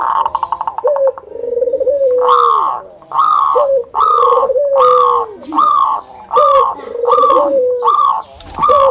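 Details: Local zebra doves from Indonesia calling to prompt other doves to sing: loud rough coos repeated roughly every second above a steady sliding undertone.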